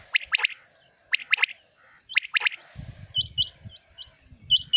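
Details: Common quail recorded in the morning, giving three quick sharp notes in a row, with the triplet repeated about once a second. Later come higher double chirps from another bird and low rumbling noise.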